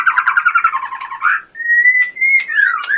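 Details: White-rumped shama performing 'tembakan' song, a songbird-contest style: a buzzy rapid trill, then a clear level whistle that rises and slides into short falling notes.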